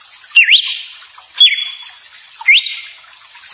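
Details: Galo-de-campina, the red-cowled cardinal, whistling: bright notes that dip then climb into a held tone, repeated roughly once per second, three phrases plus the start of a fourth, over faint constant hiss.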